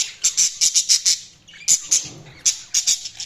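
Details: Chirping budgies give clusters of sharp, bright, high chirps, several quick notes in a row, a pause, then further short bursts of two to four chirps.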